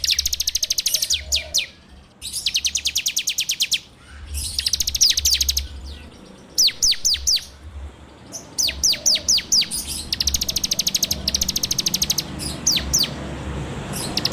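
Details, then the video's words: Bar-winged prinia, locally ciblek, giving a rapid 'ngebren' training-lure song recorded on Android: repeated long rattles of very high, evenly spaced notes alternating with shorter bursts and brief pauses, low engine-like hum underneath. "PANCINGAN SUARA CIBLEK TERBAIK FULL NGEBREM RAPETT!!!"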